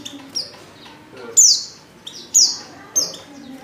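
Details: Female Oriental white-eye lure call intended to set males singing; a few loud, high, sharply descending chirps spaced about a second apart over faint quieter twitters.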